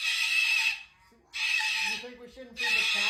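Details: Indoor cockatoo, described as angry, letting out three long, harsh, noisy screeches that run almost without a break, while a woman's voice talks quietly in the short pauses between them.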